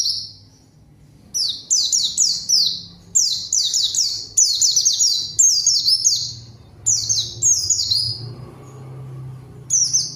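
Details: Pleci (zosterops) song meant to call a rival and prompt silent birds to sing: repeated bursts of rapid, high, descending chirps separated by short pauses, with a faint low hum underneath.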